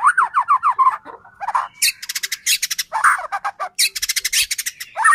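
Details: White-rumped shama singing as a provocation for other shamas: a run of quick descending whistled notes, then harsh squawks and fast dry rattling trills mixed together, loud and busy throughout.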